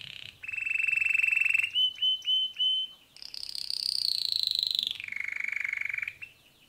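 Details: Pet male canary singing. A buzzy mid-pitched trill leads into four spaced whistled notes. After a pause comes a high rapid trill gliding gently downward, then a lower fast roll.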